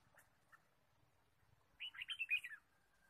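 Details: Red-whiskered bulbul chirping in forest on a bird-trapping day, 23 March 2017: two faint ticks, then a lively run of about six liquid, warbled chirps in quick succession, trailing into a soft steady whistle.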